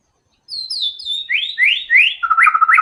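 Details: White-rumped shama in full vigorous song with learned filler phrases: high descending whistles give way to three upward-sweeping slurred notes, then a fast, rattling run of repeated lower notes.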